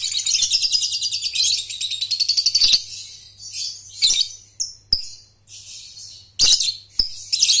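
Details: Lovebird of the Balibu/paud type, a young bird learning to trill (ngekek) with tight pauses, used as a lure recording for training; rapid rattling trill of sharp high notes for nearly three seconds, then scattered shrill chirps and whistles, faint low hum.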